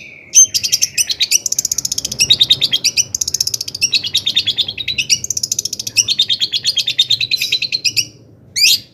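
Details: A long-tailed shrike, used as a lure for other shrikes, delivers a near-continuous rapid pulsed trill of high chattering notes for about eight seconds, then a single rising note after a short pause.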